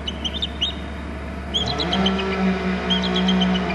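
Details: Eagle back on its perch in its nesting territory on Hornby Island after flying off the glass house, giving quick high chirping trills in short bursts over a steady low hum.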